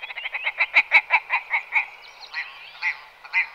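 Willow ptarmigan giving a rapid run of harsh, nasal, croaking notes, about ten in under two seconds, then a few slower, spaced notes.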